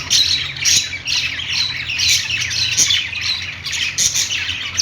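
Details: Budgies playing, loud scratchy squawks and fast chirps tumbling over one another in short surges about every second, with a low hum underneath.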